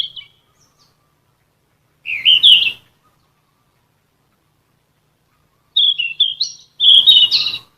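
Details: Yellow-rumped flycatcher singing as a training song for caged birds: a brief note, a high twisting phrase, a long pause, then two close warbled whistled phrases, the last the loudest. Clean and quiet.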